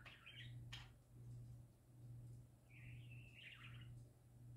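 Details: Happy parakeets singing: a short burst of warbled chirps, a sharp click, then a longer rippling warble after a pause, over a steady low electrical hum.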